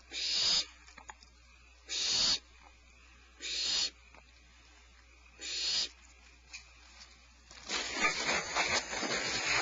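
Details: Nest birds hissing at a nearby person they have not seen; breathy hisses about half a second long, repeated roughly every one and a half seconds, followed by a longer stretch of rough, continuous hissing at the end.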